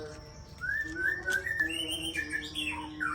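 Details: Champion breeding-stock shama of the Aceh type producing clear whistled notes that slide upward in a series, followed by higher twittering phrases and a falling whistle near the end.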